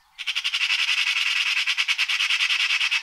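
A Eurasian magpie gives a harsh, dry rattling chatter, a fast run of grating notes about three per second, continuous for three seconds.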